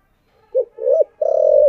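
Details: Decoy spotted dove cooing in the 'thổ' voice style: a brief opening coo, a rising-then-dipping second note, and a drawn-out vibrating final coo. Near silence around it.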